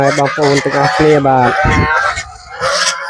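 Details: Domestic geese on a small village farm at evening feeding time, fed banana stem mixed with rice bran: a run of short, nasal, harmonic honks in quick succession, then a rougher burst and a fainter honk near the end.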